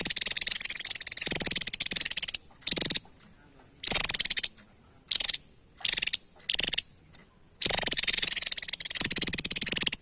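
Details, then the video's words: A Javan tesia sings in bursts of very high, rapid, buzzy trilled notes lasting one to two seconds, separated by short pauses. "TESIA JAWA GACOR"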